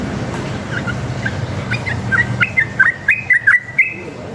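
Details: Sooty-headed bulbul giving rapid fighting song meant to prompt other bulbuls to reply: faint opening notes, then a clearer string of short rising and falling whistles in the final two seconds against steady low hum.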